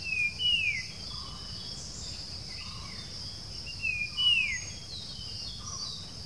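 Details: Wild puff-throated babbler at the outskirts of Bangalore, India, 07-06-2020, Nikon Coolpix B700: two bright phrases about four seconds apart, each a sliding descending whistle followed by a quieter low note, beneath a constant high-pitched insect hum.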